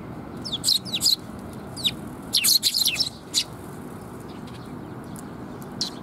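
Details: Several sparrows arrive at a feeding platform for food on 7 June 2021. Clusters of loud, high, clipped chirps come in quick bunches early on, then thin out to an occasional note over faint background noise.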